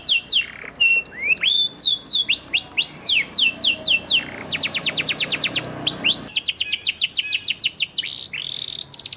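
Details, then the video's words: Vigorous song of a panda canary played to coax silent canaries into answering: repeated descending whistles, a burst of very fast ticking notes, then rolling trills and a sustained whistled note. "PANCINGAN KENARI PANDA GACOR AMPUH UNTUK MEMANCING KENARI MACET BUNYIPUN BISA LANGSUNG RESPON NYAUT"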